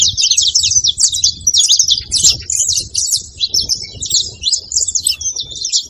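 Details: Saffron finch singing, used to rouse a quiet bird: a busy, steady flow of high, crisp chirps repeated in quick bursts for six seconds.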